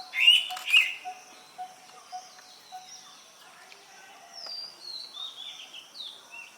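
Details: An Indian pitta calls to its partner with two loud clear whistled notes half a second apart. Faint thin bird notes and soft background noise follow.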